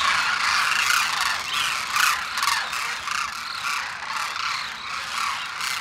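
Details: A massed congregation of migratory demoiselle cranes (koonj) at Khichan, Rajasthan, in winter. Crowded croaking and trumpeting calls overlap, with louder individual notes rising and falling out of the chorus roughly twice per second.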